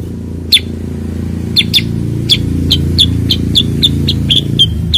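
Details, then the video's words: Bulbul known locally as cucak kurincang, kutilang sutra or kuniran, giving sharp high chips about every quarter second, some doubled, over a steady low hum. "kicau cucak kurincang"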